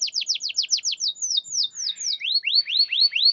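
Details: Canary singing to draw out quiet birds: a fast series of steep downward strokes, slower falling whistles, then several clear rising whistled notes repeated about three times a second.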